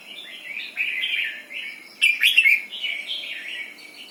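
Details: Red-whiskered bulbul singing in the doubled 'berl' song style: bright, warbled, bubbling phrases. A louder, sharper, more complex burst comes in the middle, then more rolling notes. Quiet background.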